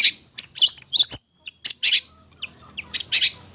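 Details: Long-tailed shrike singing a master song meant for young hand-fed birds. Loud, harsh, high chattering bursts come in clusters separated by brief pauses, with thin squeaky notes in between.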